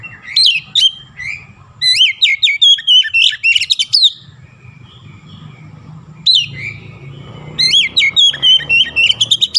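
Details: Oriental magpie-robin singing hard, mixing in imitations of the Javan myna: rapid chains of sharp rising and falling whistles in bursts, a quieter stretch midway, then another fast burst.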